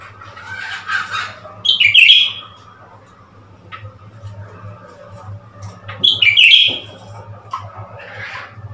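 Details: A Blue-winged leafbird, new to its keeper and tricked into displaying at a mirror, delivers two loud twittering bursts about four seconds apart, each a cluster of rapid, slurred high notes, over faint hum.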